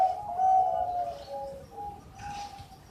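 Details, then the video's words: Captive Bangkok-type zebra dove from Sidoarjo, East Java, in melodious song: soft, tonal, flute-like coos, the first one long and slightly wavering, followed by shorter, quieter notes. A low background murmur is present. "Suara Merdu Perkutut Bangkok"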